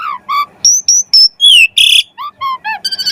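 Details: Asian pied starling, a lure recording meant to prompt other birds to sing: varied clear whistles and harmonic notes, some steady, some sliding downward, delivered in quick separate bursts with a rich mixed pattern.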